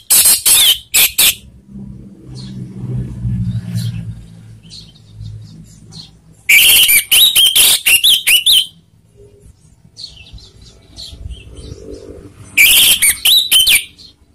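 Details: Orange-headed thrush lure song to provoke rivals: three clusters of loud, rapid whistled and buzzy phrases separated by quieter gaps with low rumbling background noise.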